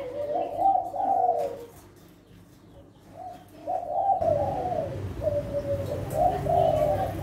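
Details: A Kelantan spotted dove (Spilopelia chinensis), a breeding parent bird of competition class, sings soft, low cooing phrases of several rolling notes, with about two-second pauses between phrase groups, in a quiet indoor setting.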